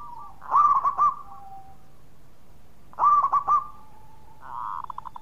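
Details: Local zebra dove with a loud, strong voice, other doves answering: two emphatic staccato coo phrases about two and a half seconds apart, then a fainter rapid rolling trill from another bird.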